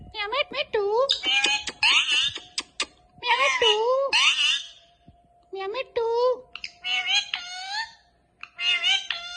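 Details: Indian ringneck parakeet kept as a pet, mimicking words such as "Allah hoo". Bursts of nasal, harmonic, speech-like syllables with wavering pitch come in groups separated by short pauses, indoors, with a human voice nearby.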